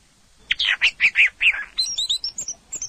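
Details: Orange-headed thrush song with a burst of rich, mid-pitched warbled notes followed by quick, thin, very high whistles that rise and fall in rapid succession.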